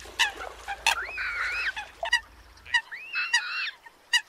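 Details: Eurasian coot competing calls used as a lure for bird trappers in northern Vietnam: sharp clipped notes alternating with drawn-out, nasal, arching whistles that rise then fall, two such phrases with quiet gaps between.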